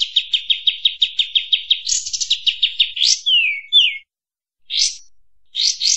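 High, thin twittering song: a fast run of about sixteen sharp chips in two seconds, then buzzy trills, down-slurred whistles and short bright bursts.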